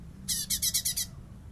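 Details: Light-vented bulbul in bessetan style, recorded as a master for teaching songbirds: a single rapid harsh rattle of six buzzy pulses lasting under a second.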